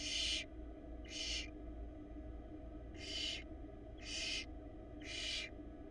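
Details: Barn owl nestling on a Florida nest camera, trying to down a huge rat, produces five rough, wheezy hissing bursts, mostly about a second apart, over a continuous low mechanical drone.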